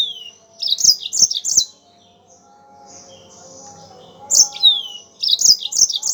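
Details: Yellow-fronted canary in full, lively song: bursts of high, sharp, warbled chirps, about three notes in quick succession, then a pause with faint whistling, then more bright rapid phrases. Used as a tutor and lure recording for training songbirds.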